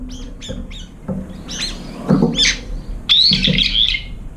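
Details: A few Brown-eared bulbuls squabble at a feeder bowl running out of food, eating between fights. Short chipping notes repeat at first, then louder rasping squawks and a long shrill screech, over faint low rumble.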